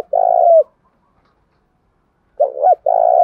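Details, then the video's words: Spotted dove cooing as a lure for wild doves, meant to stir them to fight. One long steady coo, a pause, then a wavering short note running into another sustained coo. "cu gay kich boi nhanh noi gù chuẩn gáy gọi+ Thúc Đấu , tiếng gáy hợp bổi giọng đồng gáy gọi"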